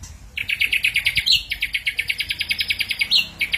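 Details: Lively ashy drongo song for lure use: rapid, rhythmic chattering pulses in long runs, broken by brief squeaky flourishes.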